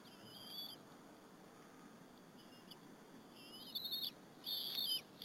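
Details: Bald eagles at the Berry College nest on the afternoon of 30 April 2015, two eaglets sharing a squirrel lunch with their mother; after a quiet start, thin wavering high whistles come in short bursts over steady background hiss.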